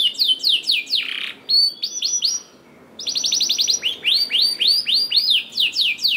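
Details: Canary song played to coax lazy canaries into singing: bright repeated down-slurred whistles, a harsh raspy note, a brief lull, then a rapid burst of chips and a series of arched whistled notes.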